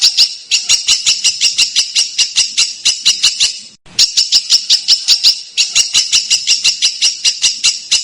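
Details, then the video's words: Bird tutor recording used to train contest birds, with dense, harsh shrieks and sharp bursts. Rapid high clicking notes repeat almost three per second in two runs split by a short silence near four seconds. "Masteran Burung Lomba JERITAN RAPAT DAN KASAR FULL TEMBAKAN TAJAM"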